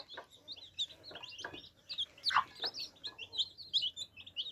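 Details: Many baby chicks quenching thirst, with a constant overlapping high twitter of peeps, faint repeated tapping, and one louder knock.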